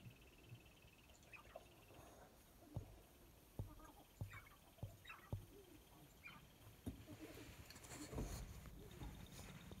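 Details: Sharp-tailed grouse dancing on a lek in Aitkin County, Minnesota, recorded through a phone on a spotting scope: sharp dry pops and clicks at irregular intervals mixed with brief higher chirping notes over low rumbling background noise.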